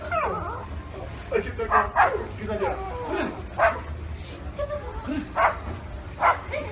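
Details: Parrot mimicking dogs with short rough barks interspersed with warbling, speech-like chatter and sliding tonal notes.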